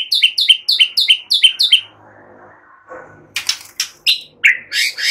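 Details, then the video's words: Kept white-rumped shama song used to train other songbirds: a fast run of seven repeated sharp chirps, a quiet gap, then loud buzzy and ringing notes. "Ocehan SANTAI MURAI BATU"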